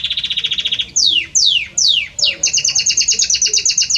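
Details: Belgian canary male in full song for the female, opening with a rapid rattling trill, then three loud sweeping downward whistles and a quick series of sharp repeated chips.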